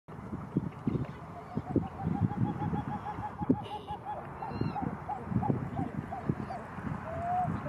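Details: Pied-billed grebe giving a rapid run of about twenty short, evenly spaced clucking notes at one steady pitch. Low rumbling background noise and a few faint higher whistles accompany it.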